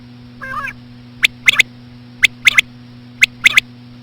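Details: Slow female common quail sounds used to lure quail: a brief wavering harmonic call, then three sharp three-note bursts about a second apart, over a constant low hum.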